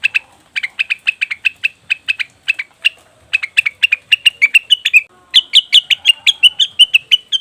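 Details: Leafbird calls used as a lure, named as cucak wilis or rengganis: brisk repeated sharp chirps in two runs, the second climbing slightly higher and ending in a more emphatic burst of notes.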